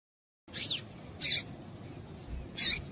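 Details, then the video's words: Female double-collared seedeater giving a call used to excite males. Three short, high, sharp chips, the first a quick descending sweep, over a faint steady hiss. "Piado de Fêmea de Papa capim com Piado de Fêmea de Papa capim para Esquenta papa capim"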